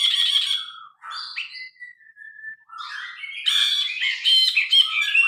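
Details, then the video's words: Vigorous song of a grey-cheeked bulbul, phone-recorded and unaltered: loud chattering, a sequence of thinner whistled and sliding notes, then a rising flurry of harsh, buzzy, overlapping phrases. "Burung brinji kelabu gacor. Masteran burung.Suara burung brinji kelabu"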